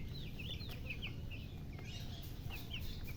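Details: Baby chicks giving scattered high, curved peeps, some paired, against a low steady hum and faint hiss.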